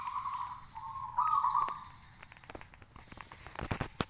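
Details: Hoisted caged local zebra dove singing actively to stir others to answer; a steady coo then a louder bubbling phrase, after which a string of dry taps and clicks takes over.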